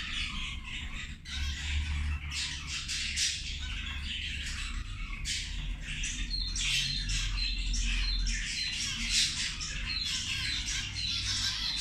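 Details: Zebra finches at feeding time give a dense chorus of nasal, buzzy chattering calls that overlap continuously, with short bright notes rising above the steady babble and a low hum beneath.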